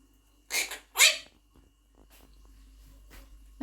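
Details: A pet male monk parakeet (Quaker parrot) that talks in English gives two quick, raspy, speech-like bursts, one after the other, then fainter chattering sounds in a quiet room.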